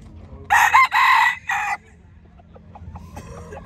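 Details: F1 red junglefowl at a junglefowl crowing contest, Nghệ An, 2023: a single short, hoarse crow in three quick bursts, cut off abruptly after about a second; faint clicks and low background noise follow.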